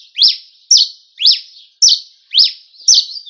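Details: Cravina from Rio Grande do Norte singing in the campina: six loud sharp notes, each a bright slurred whistle, evenly spaced about every half second.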